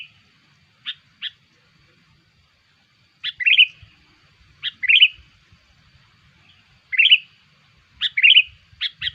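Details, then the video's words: Lure call of the sooty-headed bulbul to attract its kind: crisp single notes followed by repeated short, rolling warbled phrases every couple of seconds, clear against a quiet background. "SUARA PIKAT KUTILANG"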